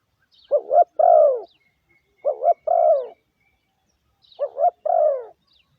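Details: Three deep coo phrases from a spotted dove used as a lure call to excite decoys, each a quick rising pair then a longer falling note, otherwise quiet.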